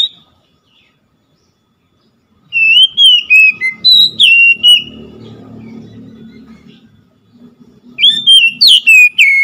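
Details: Oriental magpie-robin with quick phrases of sliding whistled notes, over a stretch of low murmuring background noise, then another rapid burst of bright, swooping whistles.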